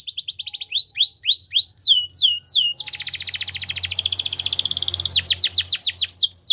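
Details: Belgian canary training song opening with repeated curved whistles sliding down, then a long fast buzzy trill, ending in more descending whistled notes; a soft low hum runs beneath.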